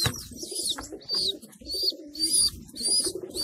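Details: Inside a homing pigeon loft where adults feed their babies: shrill, whistled squeaks repeat in short bursts while low, bubbling coos murmur beneath.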